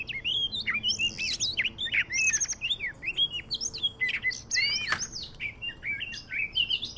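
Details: Medan-type Oriental magpie-robin song played to lure birds for trapping: bright whistled notes, quick slurs and scratchy chips in short bursts, with brief gaps between phrases and a steady, varied delivery throughout.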